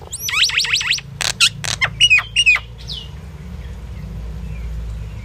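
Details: Common myna singing: a rapid run of four rising-falling looped whistles, then sharp broadband clicks and short bent whistled notes, ending in a fading buzzy note, over faint low background hum.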